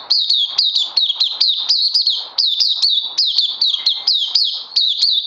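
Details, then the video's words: Puteh, the oriental white-eye, kept and on day two of combined supplements, 31 May 2020, singing a steady, rapid sequence of high, twisting chirps, each note sharply rising and dropping, with short breaths between bursts. "Puteh Crazy LG"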